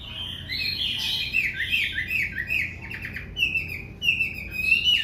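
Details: White-rumped shama singing in the late afternoon: varied, rich whistled phrases with rapid rattling trills and sweeping notes, quick and continuous.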